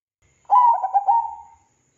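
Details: Lure song of a zebra dove (perkutut) meant to set other doves singing: one gentle coo phrase with a strong start, three quick choppy notes, and a smooth sustained ending that tapers off; otherwise quiet.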